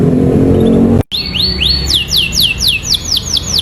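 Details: Atlantic canary singing a song filled with ciblek-style phrases (isian ciblek): about eight loud, clear whistled notes, each sweeping downward, repeated roughly every quarter second, after a second of low background noise with faint music.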